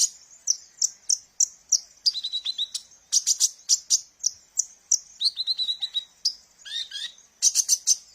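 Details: Sunbird called kolibri ninja, its song used as a lure for training birds; regular high ticking notes about every third of a second, then stuttering trills and short falling whistles.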